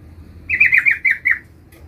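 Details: Yellow-vented bulbul calling a rival: a single short burst of about five quick, warbling chattered notes lasting under a second, over quiet low background noise.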